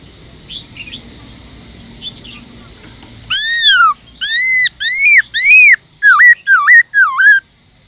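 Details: After a quiet start, a caged Black-throated Laughingthrush gives four ringing arched whistles, then four quicker dipping notes, part of a forest-voice song used to encourage other birds to sing.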